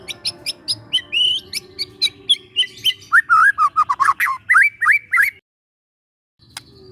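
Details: Young forest White-rumped shama, used as a lure for training, pours out a busy run of ticks and warbled whistles, rising and falling rapidly, before a short silence.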